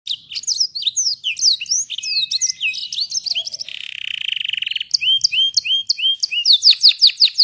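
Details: Canary singing vigorously in a long rolling song with ornate phrasing: rapid high chirps and descending whistled slurs, a buzzy rattling roll in the middle, then bright rising notes repeated in quick succession.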